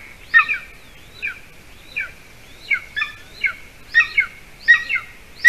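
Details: At a golden eagle nest in Latvia at 8:42 p.m., when the adult male finally brings a bird for the chick, scattered soft falling chirps build into louder, quicker paired calls toward the end.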